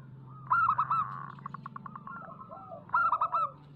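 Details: Local zebra dove song used as a lure to prompt doves to sing: two loud rolling coo phrases, one at the start and one near the end, over a steady low hum, with softer cooing between them.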